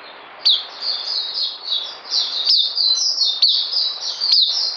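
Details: Puteh (oriental white-eye) giving a steady flow of thin, high warbled notes, with a few crisp clicks punctuating the rippling twitter.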